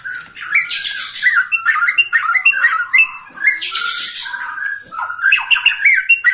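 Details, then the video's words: A 21-year-old white-rumped shama singing vigorously: dense, continuous run of squawky notes, buzzy trills and sharp whistled slurs mixed together without pause. "Murai batu ini ternyata usianya 21 TAHUN Gaya main masih NGOTOT"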